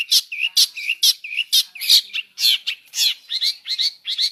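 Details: Long-tailed shrike singing a mixed fill-in song of repeated harsh, nasal notes with short whistled slurs, paced about three per second.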